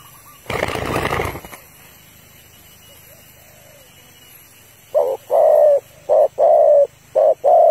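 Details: Female spotted dove calling to provoke a male, used as a decoy call for trapping, giving a run of low, mellow coos in quick back-to-back phrases after a brief burst of rustling noise at the start.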